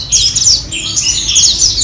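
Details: Four captive white-eyes housed together in the morning give rapid, high thin chirps and short twittering notes, several birds calling together at a fast, busy pace.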